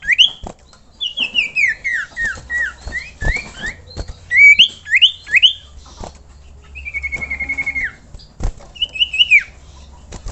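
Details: Common iora calling to set other ioras singing: a varied stream of whistled upslurs and downslurs, then a long level trill, then a final looping whistle, with scattered clicks throughout.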